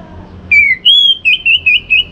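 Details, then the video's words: Orange-headed thrush, a morning song meant to rouse other thrushes to sing: a falling whistle, a long clear high whistle, then four short wavering whistled notes repeated about every quarter second. "Untuk Merangsang ANIS MERAH Berani Bunyi Dalam Krodong Ataupun Pada Pagi hari"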